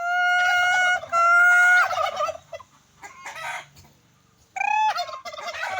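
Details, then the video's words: Turkey giving loud, repeated calls: a long strained harmonic note, a choppy gurgling run, then after a pause another sharp rising burst breaking into rough warbling, over a faint low rumble. "Turkey🦃🦃🦃Listen 👂👂Sound.Turkey makes sound 🔊🔊🔊"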